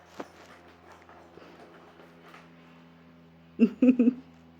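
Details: A pet monk (Quaker) parakeet indoors, trying to open something, gives three harsh, rasping squawks in quick succession near the end, over a quiet indoor hum.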